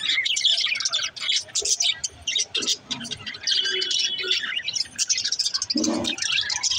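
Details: A group of budgies warbling and twittering continuously, with rapid scratchy chirps, brief clear whistles and a few lower squawky notes mixed into the busy, high-pitched chatter.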